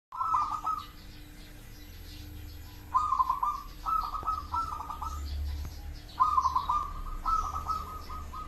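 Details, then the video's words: Local zebra dove cooing: short staccato trilled phrases around one pitch, given in bursts roughly every second or two with pauses between, over a low background hum. "perkutut lokal"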